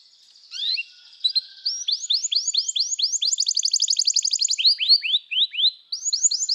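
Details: Canary song played as training material: runs of bright, rising-then-falling whistled notes, some sections repeated quickly in even series, a faster buzzy trill in the middle, then slower sweeping notes and a resumed series near the end.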